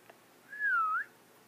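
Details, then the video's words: A single clear whistle from a pet African grey parrot still learning to talk: the pure tone slides gently down, then lifts again before stopping, in a quiet room. "African grey talking"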